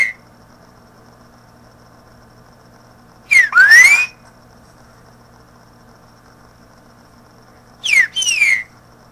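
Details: A green-winged saltator gives two loud, rich whistled phrases about four seconds apart, each sweeping up and down, with near silence and a faint low hum between; a song recording meant for teaching young birds to sing.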